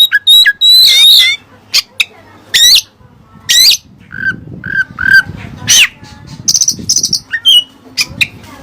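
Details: Kacer, the oriental magpie-robin, in Cililin-style mimicked song: loud sweeping whistles and harsh bursts, short repeated whistled notes mid-phrase, fast buzzy trills toward the close over a low background hum.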